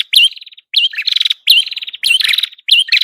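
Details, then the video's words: Red-headed prinia song recording used to lure birds: bursts of buzzy, rapid trilled notes, each opening with a bright upslurred whistle, repeated in quick phrases with short gaps. "Masteran burung prenjak kepala merah Gacor"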